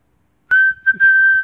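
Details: Pet black-headed caique whistling the Mickey Mouse March indoors: one clear, pure whistled note held steady for about a second, briefly broken by a short dip.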